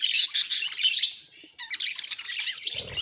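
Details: Budgie sounds: a burst of bright, buzzy warbling, a brief dip near one and a half seconds, then more chattering chirps. A short low thump comes at the very end.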